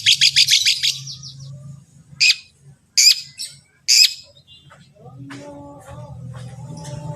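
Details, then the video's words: Long-tailed shrike master song intended to make other shrikes sing: a brief rapid rattle, then three separate harsh, screechy notes spaced about a second apart, followed by quieter mixed sounds and a low hum. "Terbukti ampuh... cendet lain bakal langsung bunyi || masteran cendet"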